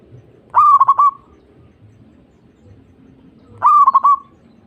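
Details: Zebra dove coos meant to stimulate silent or stressed captive doves to sing: two phrases about three seconds apart, each a burst of short stuttering notes trailing into a brief rolling trill over faint background hum.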